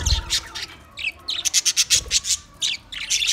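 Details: Budgerigars from twenty pairs give a quick run of sharp, evenly spaced chirps, about eight in a second, amid surrounding squeaky flock chatter.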